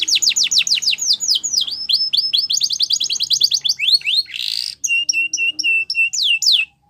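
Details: Singing canary delivering quick falling whistles in a rapid series, chattering trills, a short buzzy burst, then clipped level whistled notes and a final swoop before silence.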